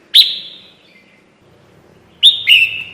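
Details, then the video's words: Red-whiskered bulbul used to lure birds into traps: a loud sharp chirp with a long fading tail, then a pause and a quick double chirp, the second note lower and buzzier. "PIKAT SUARA BURUNG KUTILANG JAMBUL"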